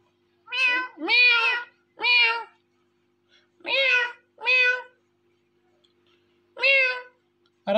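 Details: Indian ringneck parrot repeats short nasal meow-like syllables with wavering pitch, delivered in small groups separated by quiet pauses.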